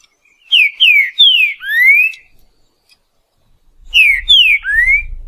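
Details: Wild green-winged saltator singing the boiadeiro song style: a loud, clear whistled phrase of three down-slurred notes ending in a long rising whistle. After a pause the phrase repeats, with a low rumble underneath.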